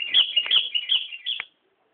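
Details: Sooty-headed bulbul singing at Nambangan: a quick run of five or six bubbly, liquid whistled notes rising and falling between middle and high pitch, ending abruptly after about a second and a half, no other sounds.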